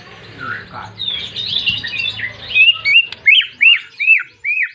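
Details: White-rumped shama, a persistent singer calling a rival to provoke other shamas to sing; a jumble of high notes over faint hum, then a series of loud, evenly spaced, arched whistled notes repeated about every half second.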